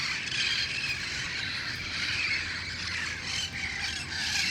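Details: A flock of wild Red-faced parrots gathering at dusk in El Cajon on August 1, 2018, before heading to nearby roost trees, fills the air with a continuous, overlapping din of harsh, raspy squawks, loud and unbroken throughout.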